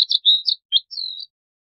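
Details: Brief Bluethroat phrase of quick, high chirps and a squeaky slurred note, then a thin, drawn-out whistle that fades away.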